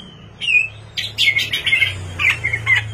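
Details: Night song of a white-rumped shama used as a lure: sharp whistled notes and squawky chattering phrases over a steady low humming background.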